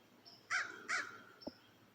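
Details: Two harsh, hoarse crow caws about half a second apart, then a faint third note and a soft knock in quiet outdoor air; crows calling excitedly beside a river in Piqua, Ohio, during the total solar eclipse of 8 April 2024, about a minute after darkness fell.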